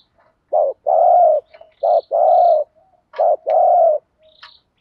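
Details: Decoy spotted dove calling to lure, performing the THÚC GÙ call; three strong low coo phrases, each a short note followed by a long drawn-out one, with faint high ticking sounds overhead.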